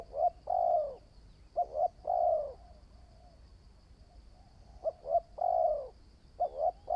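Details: Spotted dove in training as a decoy bird. Two bursts of cooing, each made of quick short coos and a long mellow coo, are separated by a pause of about two seconds. Light clicking is heard throughout.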